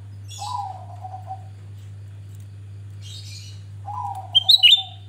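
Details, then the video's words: Actively singing grey-bellied bulbul used as a lure to prompt other birds to open their beaks and sing: low wavering whistles and hissy bursts, ending in a loud, sharp, twisting high whistle over a constant low hum. "Cucak Rante gacor Buka Paruh Pancingan"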